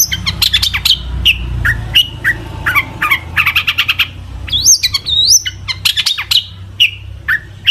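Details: Long-tailed shrike in full varied song used to stir other shrikes to sing, mixing fast clicking chips, buzzy notes and looping rising whistles in rapid succession over a faint low hum.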